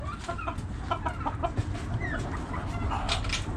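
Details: Backyard chickens, hens clucking in a flock: a dense murmur of short overlapping clucks and soft cackles over steady low rumbling background noise.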